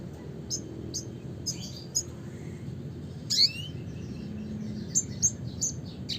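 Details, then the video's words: A red siskin sings in the classic style: scattered sharp high chirps, a downward-sweeping buzzy note in the middle, then spaced twittering notes, over low hum. "suara kicauan burung red siskin klasik gacor (spinus cucullatus)"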